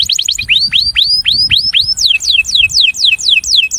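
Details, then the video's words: Breeding male canary singing to attract: quick high chirps open into a series of rising whistled slurs, then a run of steeply falling whistled notes, about four per second, clean and close. "Canário Reprodutor - Som de Atração"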